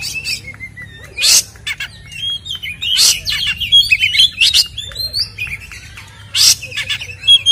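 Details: White-rumped shama song in a fighting style, used to provoke captive birds: loud, varied whistles and rapid chattering bursts, with sharp rising and falling notes and dense high trills in quick succession.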